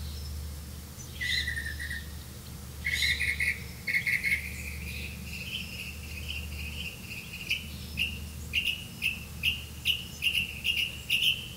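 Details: Grey-capped greenfinch calling while catching crickets to feed its young: short chirps near the start, then a steady run of bright, evenly spaced twittering notes over a low background hum.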